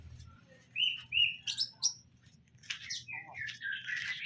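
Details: Caged greater green leafbird pair, male and female kept together for pairing; clear whistled notes and short chirps, then a busier run of buzzy twittering, with a steady low hum beneath.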